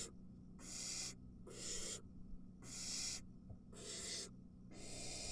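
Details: Barn owls in a nest with three nestlings, an adult delivering a mouse: five long, rasping hiss bursts, each under a second, separated by short quiet gaps, over a steady low hum.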